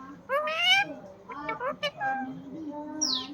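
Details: Pet parrot talking: a few speech-like, voiced phrases with rich harmonics, pausing between words, ending with a short high squeak.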